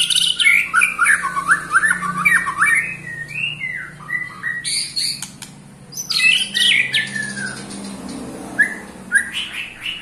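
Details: White-rumped shama aged eight months sings ketrekan to provoke other shamas: dense bursts of varied whistled slurs and chips, a quieter pause mid-way, then more bright chattering phrases and a falling whistle.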